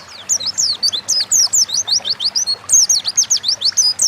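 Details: Oriental white-eye in energetic gacor ngalas song, a lure recording for prompting birds to sing: about four seconds of quick, thin, high whistles, each note sharply slurred, delivered in a steady rapid rhythm.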